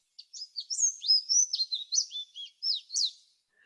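A Canada Warbler's quick, jumbled song: a run of smooth, high slurred notes in many distinct sections, tumbling up and down for about three seconds.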